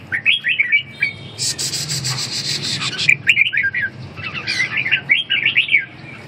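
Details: Red-whiskered bulbul warbling in quick whistled phrases at start and end, interrupted in the middle by a loud scratching, rubbing noise.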